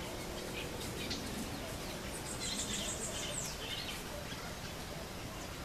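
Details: Plain parakeets feeding on the seed pods of Pseudobombax grandiflorum give a quick run of about six shrill, high chips, with a few scattered squeaks, over a steady low rumble of background noise.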